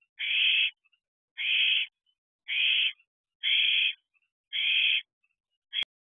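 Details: Owlets and adults at an owl box at night, 9:37 pm on 25 June 2023, at the first food delivery. Six rasping hiss-screeches of steady length repeat about once a second, then a sharp click.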